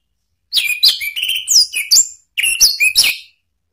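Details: Orange-headed thrush singing in a provoking recording aimed at rival birds, rich varied whistles sliding up and down, bright high notes mixed with lower fluting ones, in two close phrases about a second and a half long.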